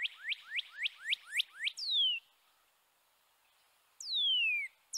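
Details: Northern Cardinal song, described as 'cheer cheer cheer' then 'birdie birdie birdie': six quick, clear downslurred notes, about four per second, then long, sweeping whistles falling steeply in pitch; no other sounds stand out.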